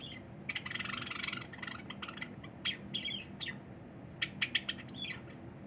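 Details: Pet cinnamon Java sparrow sings on 23 January 2021 beside a feeding silver companion: a loud rattling run of clicks opens, followed by clear bell-like notes and quick chirps, with low room hum beneath.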